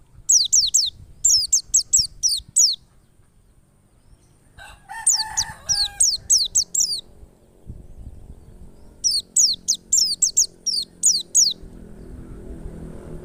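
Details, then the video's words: Wild white-eye song used as a lure to make other white-eyes open their beaks and sing: rapid bursts of high, thin, down-slurred chirps in quick runs, pausing between groups, with a brief lower rustling sound midway. "PLECI NGALAS power super mantap PAS banget buat PANCINGAN PLECI agar buka paruh"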